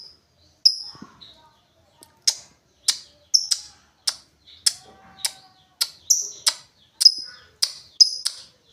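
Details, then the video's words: Lovebird repeating clipped, ticking high chirps about once every half second, steady and insistent, with no other clear sounds. "LOVEBIRD NGETIK NGOEK LANJUT NGEKEK"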